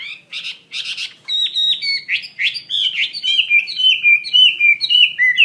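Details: Chinese hwamei singing energetically, for use in training other birds: two harsh buzzy bursts open, then a bright string of clear slurred whistles at steady pace, each note sliding down, with rich overtones.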